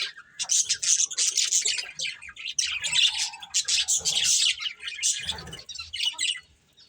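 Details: A budgerigar breeding pair in a long chattering bout, dense scratchy chirps and squawks with a lower rough note toward the end.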